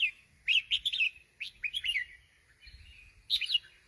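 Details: Sooty-headed bulbul delivering short, sweet whistled phrases, each a quick tumble of two or three notes, with pauses between them and a final bright flourish.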